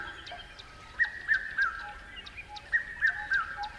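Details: Two runs of three sharp chirps, the last note of each dipping lower, from a bird, with soft background ticking and a faint steady tone.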